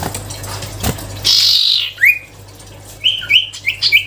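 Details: Sirtu songbird singing actively: a loud buzzy burst, then a sharp rising whistle, followed by a run of short high whistled notes stepping up and down, over a steady low hum.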